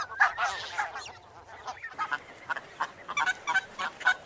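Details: Barnacle goose calls: short, sharp yapping barks from several birds, dense and overlapping for the first second, then after a brief lull a looser run of single yaps roughly every third of a second.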